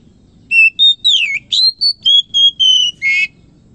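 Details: Oriental magpie-robin singing in the morning, a lively run of about nine loud whistled notes, steady tones mixed with swooping slides, closing on a coarse buzzy note.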